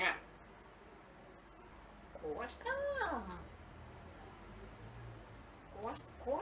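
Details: An African grey parrot amusing itself indoors gives a quick run of swooping, harmonic whistles that rise and fall, then a final rising squawk after a short pause.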